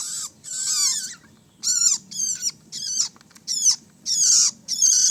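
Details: Young long-tailed shrike producing rough, wheezy high calls with falling inflection, delivered in separate bursts about every half second to second.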